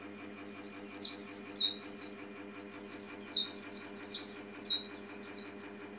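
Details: White-eye, a small yellowish-green bird known locally as pleci or kacamata, twittering in near-continuous bursts of high, thin, downward-sliding chirps, several clustered per phrase with brief pauses between, over a steady low mechanical hum.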